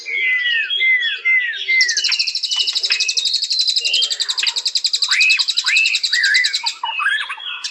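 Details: A white-rumped shama opens with four clear downslurred whistles, then pours out a long, fast, buzzy high trill broken by arched whistled notes.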